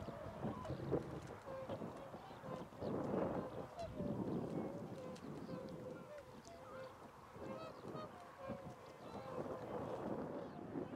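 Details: Cackling geese in flight, a flock giving dense overlapping honking calls, short nasal yelps repeated rapidly throughout with little pause, over a steady low background rumble.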